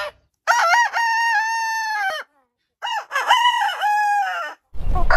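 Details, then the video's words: Heritage-breed rooster giving two long crows, each about two seconds, rich in harmonics, opening with a rising stutter and then holding a steady tone; a short burst of noise at the end. "Hane Gallos Cantando Chicken Crowing as Chicken Song Suara Ayam Pelung Berkokok Hahnen Krähen"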